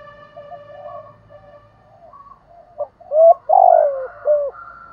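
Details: Spotted dove singing in the hạp bổi voice, a song style with calling, urging and cooing phrases. Soft low hooting coos build into loud, full, throaty coos in a rhythmic phrase, with faint background tones.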